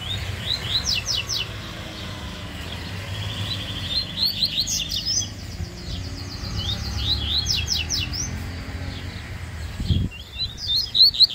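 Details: Rusty-collared seedeater, the Bahian coleiro, singing fast in a singing contest: high, thin, rapid note bursts in clustered phrases, over a steady low rumbling background noise, with a thump near the end.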